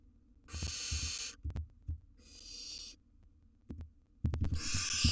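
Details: Young wild barn owl siblings in a nest box as they learn to flap and jump; two harsh hissing screeches and a third starting at the end, with soft thumps and shuffling between them.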